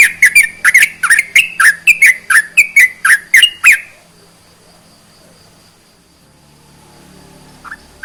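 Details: Sooty-headed bulbul song for stimulating reluctant birds to sing: a fast run of about fifteen short whistled notes over four seconds, then near silence with one faint later note.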